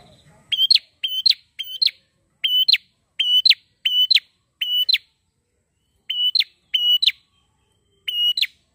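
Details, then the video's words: Prinia giving sharp, high, slightly buzzy notes in quick pairs, repeated steadily with brief pauses; used to lure wild-caught birds. "PRENJAK GACOR!!"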